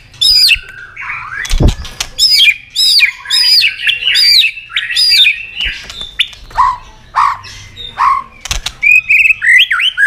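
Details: Long, varied training song of a white-rumped shama mixing forest voices and tạch clicks while tail-flicking: loud looping whistles and sweeping notes in quick bursts, a sharp click near the start, downslurred notes later, then rapid chirps.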